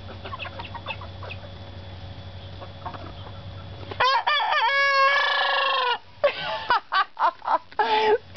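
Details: A teenage rooster on a farm gives a strained, cracking crow a few seconds long, with a rising, wavering middle, then short clucks. Other hens cluck softly beforehand.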